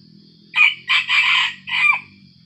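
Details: Aggressive wild junglefowl approaching a decoy while still dark crows once: a harsh, broken four-part cock-a-doodle-doo lasting about a second and a half, high and hoarse, over a faint low hum.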